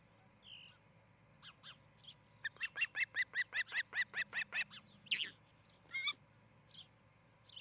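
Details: Osprey pair at a nest near Charlo, Montana, recorded by a nest camera on a July 2018 evening. A rapid run of about a dozen sharp, whistled chirps, then a few harsher notes. Faint steady high ticking underneath.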